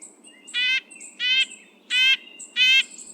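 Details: Red-breasted Nuthatch giving four nasal, tinny territorial yank notes, each about a quarter second long, spaced evenly about two-thirds of a second apart, telling other males the area is occupied; a faint high hiss runs behind.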